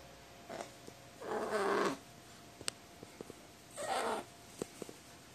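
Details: Crow throwing a tantrum, wanting to keep playing when it should go to sleep: two drawn-out, harsh, nasal whining calls about two seconds apart, with soft clicks and taps between them indoors.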